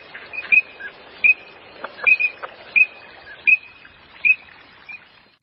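Green-winged teal giving short, high, whistled peeps, repeated irregularly about once every second, over a faint background murmur.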